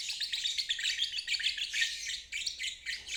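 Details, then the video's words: Lovebird giving the long ngeriwik trill, played as training for stalled birds and fledglings learning to trill; dense, high, rapid chattering that runs almost without pause in quick uneven bursts, briefly dipping twice near the end. "Terapi Lovebird ngeriwik untuk burung macet dan balibu belajar bunyi"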